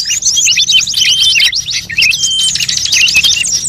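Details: Lure sound for drawing in birds, built from many species: rapid high zigzag chirps in quick bursts and short trills, with a few thin whistles and a brief gap midway.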